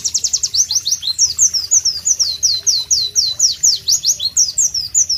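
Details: A white-eye (Pleci) sings loudly in a tropical ambience, a fast, unbroken run of high, sharp, down-slurred chirps, several each second, bright and sweet, with no other clear sounds.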